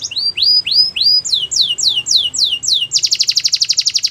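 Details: A Belgian canary sings a training song of bright tour phrases: three rising whistled slurs, then a run of quick falling notes, ending in a fast buzzy high trill.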